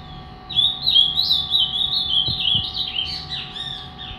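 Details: Caged three-year-old Ultramarine grosbeak described as angry and fibra, singing a rapid string of slurred whistled notes that rise and fall for about three seconds, ending in scratchier notes, low hum beneath.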